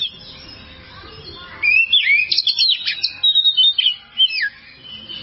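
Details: Oriental magpie-robin singing on a kacer tutor recording for caged birds: after a quiet start, a quick burst of loud, varied whistles, chips and slurred notes follows in choppy phrases.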